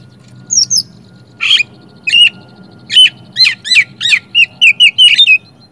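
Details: Lure song from an oriental magpie-robin to get silent birds singing: two high whistles, a harsh raspy burst, then spaced sharp notes quickening into a run of short, bright whistled chirps.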